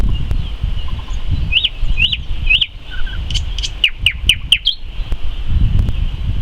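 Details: A common nightingale sings in May, giving three clear arched whistles, then a quick burst of sharp, down-slurred notes and clicks, over a low rumble of wind.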